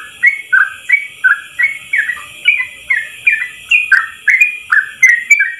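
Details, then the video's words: Yellow-vented bulbul tutor song in ropel style, long and in one breath: evenly spaced bubbly whistles, each sliding down then rising, about three per second, over a steady high hiss and soft clicks. "Masteran trucukan terbaik ropel 1 nafas panjang"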